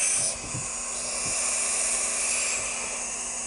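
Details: Young barn owls, the first baby barn owls of 2012, give a steady, breathy hissing rush like escaping steam, held for several seconds with slight swells, over a few faint low thumps.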